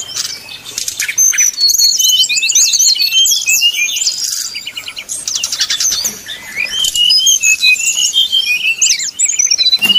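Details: Flute-like 'nyuling' song of a brown-chested jungle flycatcher, played as bait to make rival birds sing: long busy stream of high twittering whistles and trills, a short quieter stretch midway, then sharp sweeping phrases.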